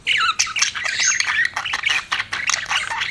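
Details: Budgie chirping, loud and harsh: a steady tangle of scratchy squawks and twittering notes filling the whole three seconds.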